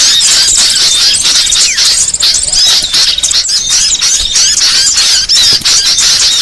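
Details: Small birds in a lure recording for trapping: fast, busy chirping and squeaky whistles from many callers, with quick notes tumbling roughly three per second and some clearer whistled slurs.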